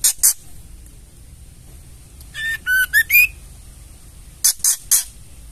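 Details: Ketrekan of a female white-rumped shama, a call that stirs males to sing: two rasping bursts, a run of rising whistled notes, then three more harsh rattling bursts.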